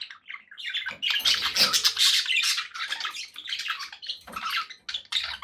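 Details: Pet budgerigars keep up continuous scratchy chirping and warbled chatter, with a faint low rumble and small splashing-like noises underneath.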